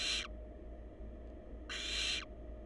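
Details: Wild barn owl chicks in a monitored nest box on a live cam; a harsh, breathy hiss ends at the start, then a second rasping half-second hiss follows after a pause, over a steady low hum.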